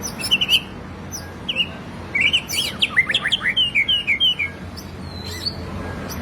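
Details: White-rumped shama, kept as a cage bird, sings a few high notes and then a fast tumbling phrase of slurred chirps and whistles, offered as a training recording.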